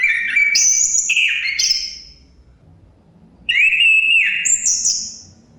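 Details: Chestnut-capped thrush (Zoothera interpres), a Southeast Asian forest thrush; two clear whistled phrases of long sustained notes stepping between lower and very high pitches, separated by a pause, with faint low background hum.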